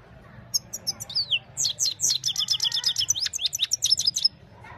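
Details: Himalayan goldfinch in evening song, mobile phone recording: a fast, continuous twittering phrase of high tinkling notes, downward slurs and buzzy trills delivered for about four seconds in a lively, bubbling stream.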